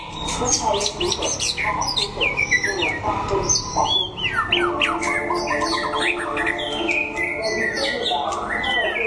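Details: In a singing contest in Đắk Lắk, Vietnam, a sunning white-rumped shama pours out a dense, continuous stream of bright whistles, chirps and downslurred notes for about nine seconds, with faint background murmur.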